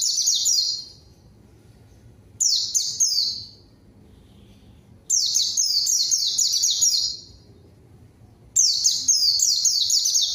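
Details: White-eye singing hard to lure a rival so an untrained bird replies and joins in: four bursts of hurried, high, sliding-down twitters, some brief and some longer, with silent stretches between them.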